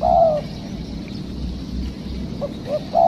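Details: Spotted dove heard while trapping wild doves: a long drawn coo opens, followed after a pause by two short hoots and the start of another long coo, with steady low rumble beneath.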